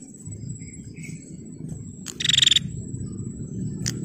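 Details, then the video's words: Female bar-winged prinia calling to draw out males: a single brief burst of quick, evenly spaced buzzy pulses lasting about half a second, preceded by faint soft notes, over low rumbling background and a thin constant high tone. "Suara Prenjak Betina Gacor Tarung Pancing Prenjak Jantan Biar Gacor dijamin NYAUT EMOSI dan Bunyi"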